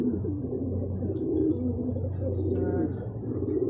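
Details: Racing pigeons at a loft in Guiguinto, Bulacan, back from a second truck training release that arrived as a group. A dense chorus of deep, burbling coos runs continuously, with a low hum underneath.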